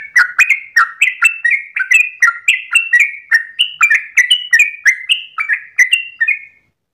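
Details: Dawn 'ropel' song of a Yellow-vented bulbul: an unbroken chain of quick, liquid whistled notes stepping up and down in pitch, roughly three per second, ending abruptly.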